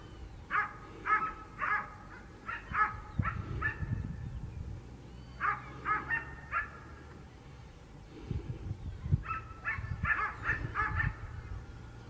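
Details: Lone Black-necked swan in Mercedes, Buenos Aires province, Argentina, calling in runs of soft, nasal honks, five or six per run, with pauses between runs and low rumbling background noise.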